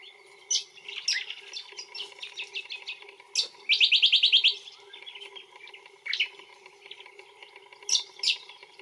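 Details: A brown honeyeater (Lichmera indistincta) in Australia gives loud, varied whistled notes and a rapid run of bright chips, with sharp high notes scattered between phrases.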